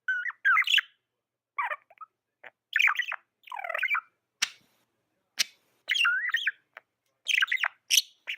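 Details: Tame budgerigar chirping in bursts of quick warbled, rising and falling notes, with short sharp clicks between phrases and brief silent gaps.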